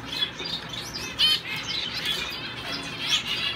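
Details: Male owl finch in a show cage, in training for shows; soft, high, nasal twittering notes and thin squeaks in a short run of song.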